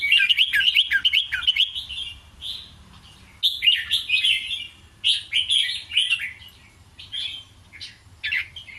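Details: Red-whiskered bulbul singing doubled, scattered 'ble rik krajai' phrases: an energetic burst of quick, rolling whistles at the start, then several separate warbled bursts spaced about a second or two apart.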